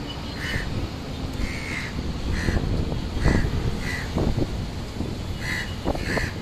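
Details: Crow at a nest on a high-rise apartment building in Leipzig, Germany, giving short, harsh caws about once a second, under a steady low rumble of city traffic and a few knocks.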